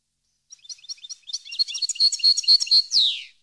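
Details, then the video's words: Goldfinch song meant for training captive birds: soft stuttering notes speed into fast, liquid twittering with regular ringing chips, finishing on a loud buzzy downward slur. "Canto Para Educar Jilguero"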